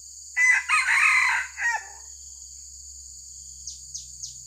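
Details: Red junglefowl crowing as a decoy to lure wild junglefowl during trapping: one loud, harsh, broken crow of several syllables lasting about one and a half seconds, then a steady insect drone and a few short high chirps.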